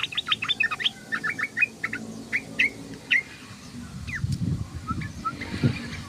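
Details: Sooty-headed bulbul giving rapid chattering ngoceh notes that thin into scattered chirps, with low rumbling traffic-like noise growing in the second half.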